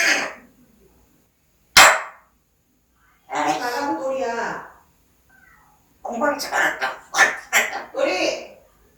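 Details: Parrot kept as a pet mimicking speech indoors, with a sharp click-like burst followed by longer runs of raspy, voice-like phrases and rapid syllables near the end.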